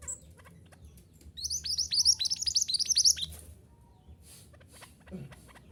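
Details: Mantenan gunung, recorded for training caged birds to sing. A two-second burst of fast, loud, high twittering notes rises from quiet, then fades into faint scattered chirps.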